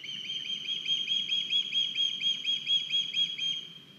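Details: Estonian osprey nest on 9 August 2021, one of the young bringing in a large fish, captured by a live cam; a fast series of high, slightly downslurred chirps, rising and falling in loudness.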